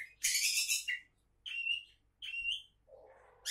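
Oriental magpie-robin singing: a harsh, scratchy burst, then two clear whistled phrases, a low rasping note, and another harsh burst, all within a few seconds.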